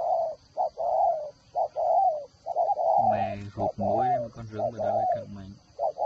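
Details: Spotted dove kept as a decoy bird with a whistle-like voice, from an aviary in Ba Vì, Hanoi, Vietnam: mid-pitched coos in short-long groups roughly once a second, partly overlapped by a man's voice, with a steady faint high hum.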